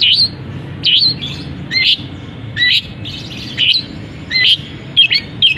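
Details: Caged long-tailed shrike in lively song, mixing imitations of canary and other birds: loud harsh squealing notes about every second, interspersed with thinner high chirps and twitters.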